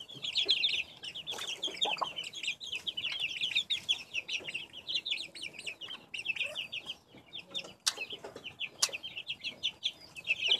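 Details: Many young backyard chickens in 2015 keep up a continuous stream of shrill, rapid peeps, dozens of short notes per second layered over each other, with a few sharp clicks or knocks in the background.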